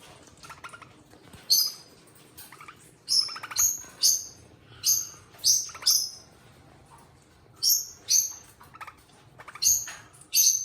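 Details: Two pet eastern rosellas calling: sharp, high, bright chirps, each sweeping downward, given singly or in quick pairs with short pauses, alongside softer lower chattering notes and faint clicks in a quiet room.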